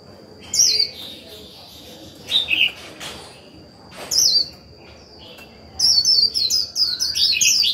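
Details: Caged white-eye singing moderate 'líu' as a decoy to rouse other birds. High twisting warbled fragments come every second or two, then a quick, dense cascade of sharp chattering notes ends the clip. A steady thin whine runs throughout.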